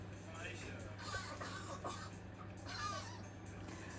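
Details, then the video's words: A macaw talks in short, hoarse, speech-like bursts, mimicking swearing such as "shut up", over a steady electrical hum and faint background noise. "Bird swearing macaw"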